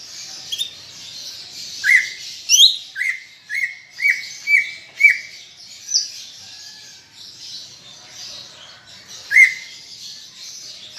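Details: Lively cucak ijo (greater green leafbird) chatter, used as a prompt for pet birds: a run of six or seven quick upslurred whistles about every half second, then a pause and one final note, over steady high hiss.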